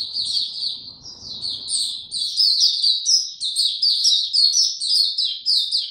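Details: Caged white-eye opening its song on 29 April 2022 while in power down mode, without health supplements. The bird pours out sweet, high, slurred chirps in a rapid, jumbled string that grows louder midway.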